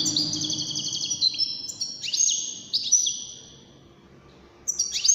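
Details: European goldfinch from a wdaniya song competition of five birds gives high, jangling twitter phrases, then falls silent for a moment before a fresh burst of bright notes starts at the end.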